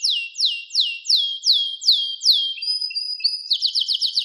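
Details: Canary song built from repeated downslurred whistled notes, roughly three per second, followed by level whistled tones and a quick run of short high sweeps.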